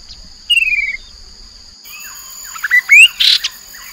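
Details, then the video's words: Chestnut-capped babbler lure sound from the Mekong riverbank, Nakhon Phanom, Thailand, 2021: a single falling whistled note, a pause, then a cluster of scratchy chirps and short upslurred squeaks with faint insect hum. "นกกินแมลงกระหม่อมแดง Chestnut capped babbler sound"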